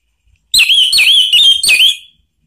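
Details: Orange-headed thrush singing to provoke another bird: four loud, slurred whistles that dip and rise, delivered in a short, clear burst.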